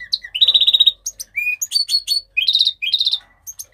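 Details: A Mexican rosefinch gives a busy warbling song: a fast trill, clear slurred whistles at a lower pitch, then clustered high chips and short buzzy bursts.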